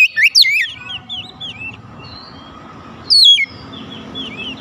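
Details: Oriental magpie-robin calling to other birds, which answer: a loud burst of twisting whistled notes at the start, then a fainter answering bird with soft slurred whistles over steady background hum, and another loud phrase near the end.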